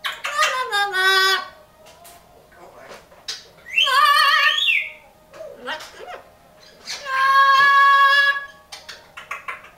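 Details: Pet parrot singing indoors in a small room: three loud bursts of rich, tonal, vowel-like warbling, some notes sliding and wavering, separated by quieter chatter and short clicks.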